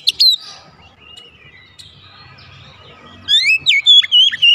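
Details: Oriental magpie-robin (kacer), a kept bird, in a fast gacor song. One sharp note opens, then comes a quiet stretch with faint thin whistles. The clip ends with a loud burst of rapid, rising and falling whistled phrases.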